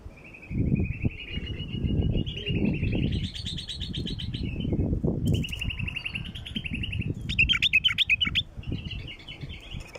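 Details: Bulbul calls used to attract wild bulbuls: long warbling, trilled phrases, then a burst of sharp rapid chirps, over strong low-frequency rumbling and wind-like noise.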